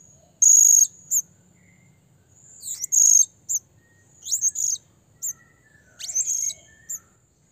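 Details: Calls to a rival by a blue-crowned hanging parrot: repeated piercing high notes, some held for half a second, others short sharp chips, in irregular bursts over seven seconds, with faint low background noise.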